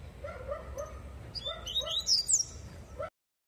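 A double-collared seedeater sings its tui-tui song: soft paired mid-pitched whistles, then quick, bright, high notes that sweep and chatter over about three seconds.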